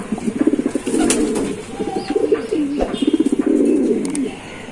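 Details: Giribaz pigeons producing low, gurgling coos in rapid throbbing pulses, repeated swells with brief pauses between, a couple of faint higher squeaks and a single knock partway through.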